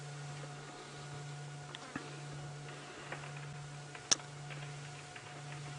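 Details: A steady low electrical hum runs throughout, broken by a few scattered ticks and one sharp click.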